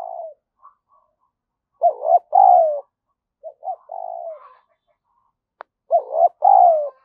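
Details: Spotted dove giving lure cooing meant to stimulate others: three soft phrases over seven seconds, each short notes followed by a longer falling coo, with one brief click between phrases.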